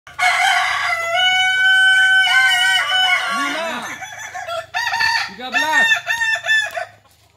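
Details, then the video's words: Kokok Balenggek rooster crowing at a practice contest in Ampang Kualo, Solok city: a long drawn-out harmonic crow, then shorter stepped, broken notes, with softer clucks from other fowl and a low hum behind. "Ayam kukuak Balenggek"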